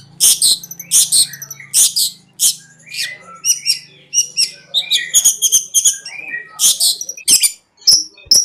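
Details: Long-tailed shrike master song: loud harsh squawks and chirps in irregular bursts, mixed with whistled phrases and chattering, a faint low hum early on.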